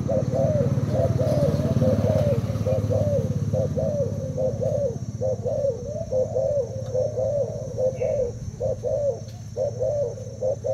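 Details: Thai spotted dove kept two days in a cage, cooing competitively at a decoy; long series of low mellow coos about once a second, with a low rumble and faint voices in the background.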